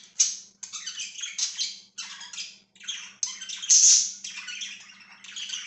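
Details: Pet budgerigars chattering indoors in dense, harsh, rapid chirps and squawks, nearly continuous with brief pauses, over a faint low background hum.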